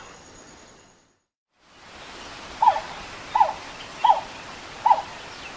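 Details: Grey (Western) plantain-eater giving four short, mid-pitched yelping notes, each about three-quarters of a second apart, over a steady background hiss.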